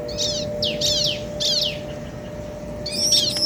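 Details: Bar-winged prinia male and female answering each other: three buzzy descending chattering phrases, then a run of high arched notes, over faint steady hum.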